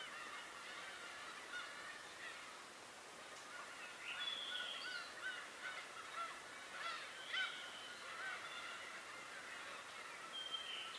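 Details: Wild birds calling on Tobishima: scattered short whistled notes and thin rising slurs, a few sharper high chirps standing out over a steady hiss of background chorus, calls overlapping irregularly through the recording.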